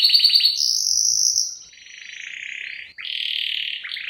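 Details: Canary song used as a lure: a quick stuttered phrase, a long high whistle, then softer buzzy warbling and a sustained high note.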